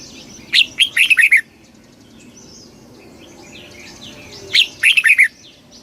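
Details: Red-whiskered bulbul delivers two fast kích bổi phrases of bubbly, falling whistles several seconds apart, with quiet chattering of other small birds in the gap.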